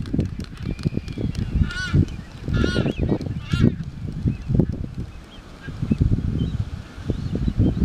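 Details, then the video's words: Galapagos Albatross during its courtship display on the Galapagos Islands. Drawn-out, nasal, harmonic calls rise and fall three times, set among rapid dull clattering and thudding sounds. "Galapagos Albatross courtship display"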